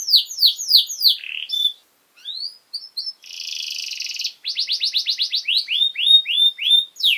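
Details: Canary singing to tutor young birds: a few loud downward-sweeping notes, short pauses with thin whistles, a harsh buzzy burst, then quick repeated slurred notes speeding into a trill.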